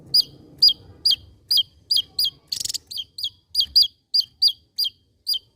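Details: Javan white-eye, an endemic Javan bird, singing a steady string of sharp, high hooked chirps, about two per second, with one brief harsh buzzy rattle in the middle.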